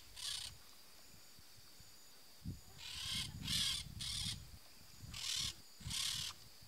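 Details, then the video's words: Peach-fronted parakeet calling in harsh, buzzy screeches: a single squawk, a pause, then an irregular run of five grating bursts roughly every half second to second, with a faint high steady hum behind. "PERIQUITO-REI canto (EUPSITTULA AUREA), PEACH-FRONTED PARAKEET"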